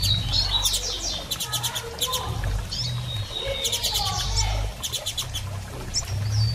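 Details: Female double-collared seedeater calling and soliciting mating: short, high, thin chips and slurred notes, with bursts of rapid rattling clicks like wing flutter, over a steady low hum.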